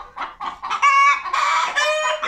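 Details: Young hens in a coop in winter, about 22 weeks old and not yet laying, cackle together after a white hen starts and the rest join in (owner suspects she laid an egg): loud harsh clucks rising into drawn-out squawking bursts.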